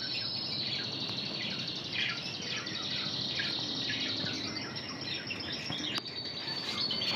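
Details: Intense red canary trained in Spanish Timbrado song, singing high sustained trilled notes and quick descending slurs over a steady background hiss, with one sharp click near the end.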